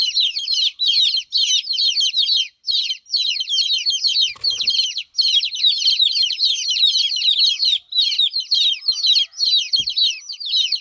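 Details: Hen chicks crying because their mother is away, a long, steady stream of shrill falling peeps from many birds in rhythmic bursts, with a single soft thump and a faint click.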